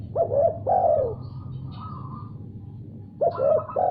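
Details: Spotted dove responding after another call is heard. Two short coos are followed by a drawn-out descending coo, and a fresh phrase begins near the end. A higher buzzy, rapidly pulsed note fills the gap, with low background hum.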